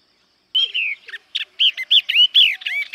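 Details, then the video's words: A yellow-eyed babbler sings a quick run of clear, bright whistled notes, some rising and some falling, in a lively jumble over about two seconds. "Tiếng hót Họa Mi Mắt Vàng. นกกินแมลงตาเหลือง"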